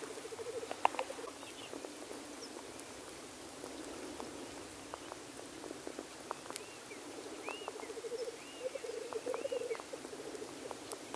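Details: Black grouse males displaying at the lek: distant bubbling phrases at the start and again later, with clicks and several short arched chirps from other birds.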